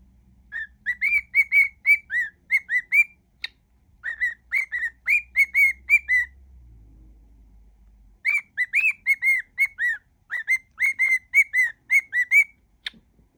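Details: Cockatiel whistling mimicked songs in a mash-up, long bursts of rapid clear whistled notes separated by a silent gap of about two seconds, with occasional clicks.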